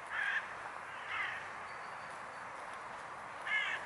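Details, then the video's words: Swans at the Neuer Teich pond, 26 April 2017 at 20:11, 11 °C; three short nasal honking calls rich in overtones, about one to two and a half seconds apart, over a steady broad hiss. "Swans Neuer Teich"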